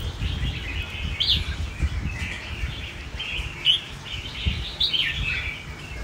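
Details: A wild-type caged Red-whiskered bulbul, described as singing very forcefully, gives short, bright, warbled phrases about every second or so, over a man talking and low rumbling background noise. Recorded 18/7/24.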